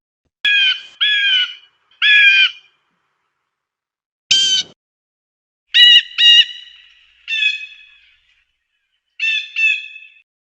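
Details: Blue jay (Cyanocitta cristata), call.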